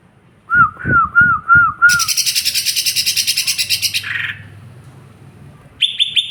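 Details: Lesser green leafbird singing: four clear whistled notes, each slurring down, then a long run of rapid, harsh buzzy notes and a short buzzy burst near the end.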